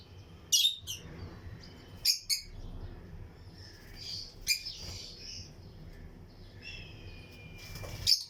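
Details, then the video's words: Aviary breeding colony of lutino lovebirds with other birds: harsh squawking chirps scattered irregularly, some in doubled bursts, plus a faint thin whistled note, over low background hum. "Lutino Lovebirds Breeding Colony Cage - Chirping and Relaxing Sound"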